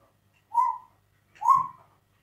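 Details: Pet African grey parrot indoors imitating a dog's bark, though no dog lives in the home: two short, hoarse, dog-like woofs about a second apart, each rising then falling, in a quiet room.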